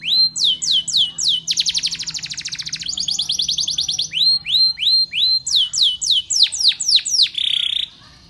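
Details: A Spanish Timbrado canary's training song of rapid downward sweeps, sustained metallic rolls, strings of upward-hooked notes and sharp descending strokes, ending on a brief buzzy note and quiet.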